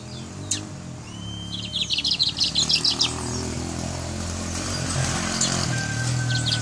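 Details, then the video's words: Guyana brown mustache giving a short, fast series of high buzzy notes lasting about a second and a half. Rising rushing background noise builds afterwards. "Guyana Brown Mustache Singing"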